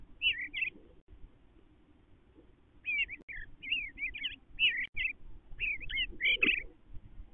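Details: A resident male Eastern bluebird (Sialia sialis) singing inside a nestbox: soft, mellow warbles, a short opening phrase, then a longer run of quick slurred notes, over a faint low rumble.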